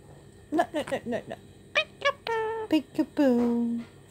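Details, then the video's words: A pet male Indian ringneck parakeet chats to himself in a quick run of high, nasal, word-like syllables, saying "yorry not sorry" and "be a good boy", then draws out a couple of falling whistled notes. "Indian Ringneck Beaker, says Yorry not sorry"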